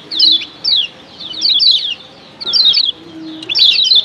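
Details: Kecial kuning, a female and a male, calling in a combination said to rouse other kecial: short bursts of rapid, descending high chirps roughly once a second, with quiet pauses and a faint low tone.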